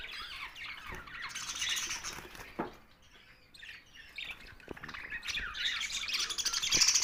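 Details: Budgerigars kept as a group, a busy mix of chirps and squawks with rapid high notes, softer in the middle and rising again toward the end, some low thumps.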